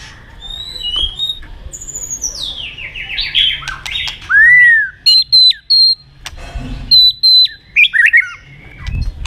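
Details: White-rumped shama giving a fighting song for training birds: a high descending whistled series, then loud clipped bursts of sharp notes separated by short silences.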